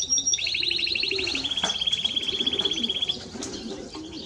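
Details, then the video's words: Timbrado Español canary singing a long rolling trill of rapid evenly pulsed notes, shifting into a steadier, slightly lower rattle lasting about three seconds. "Timbrado Español Canario song - Canario Cantado"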